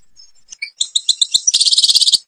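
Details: European goldfinch in Algeria singing the Babas forest song: a few separate thin notes that speed into evenly repeated bright chirps, then a rapid rolling twitter.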